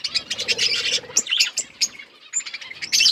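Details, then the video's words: Budgerigars as pets, a busy flock chirping, fast repeated high tweets crowded together at the start, then sparser chirps and a short whistled note before chatter returns. "Beautiful budgies colour birds chirping sounds"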